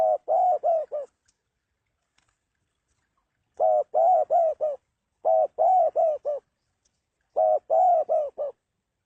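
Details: Low, throaty coos from a spotted dove in clipped four-to-five-note phrases, repeated four times with short silent gaps between.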